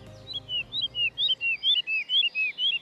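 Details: Woodlark singing in a display flight after leaving a perch in ancient woodland, UK, in spring: liquid, fluty song of soft descending notes in quick pairs, about three a second, rolling on steadily with little else heard.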